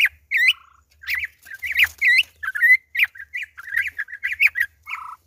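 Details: Campo troupial being released back to nature on its second day, around 6 May. Loud, bright whistled notes come in rapid bursts, broken by lower buzzy, rattling phrases at the start and end.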